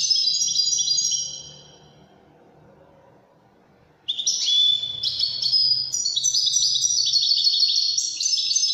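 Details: 'Widani' European goldfinch sings a high twittering phrase, falls silent for a few seconds, then launches into a sustained, fast, bright warble of trills, chirps and buzzy notes.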